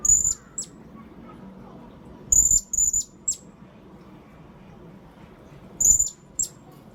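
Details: Blue-crowned hanging parrot calling for luring birds: high, thin, piercing notes, some in quick pairs, given in short bursts a few seconds apart with faint low rumble between.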